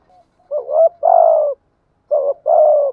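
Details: Decoy spotted dove: two soft, deep coo phrases, each a short rising note joined to a longer steady purring note.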